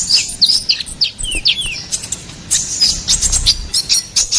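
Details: Ruby-cheeked sunbird song, recorded as a master and lure for songbirds: rapid high, thin chirps and short downslurred whistles in busy twittering bursts, with sharp clicks between phrases.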